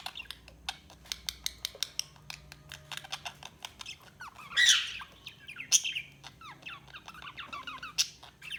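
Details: Budgerigar chirping: a string of sharp ticking clicks at first, then chattering warbles with curved sweeping notes and a few louder squawky bursts.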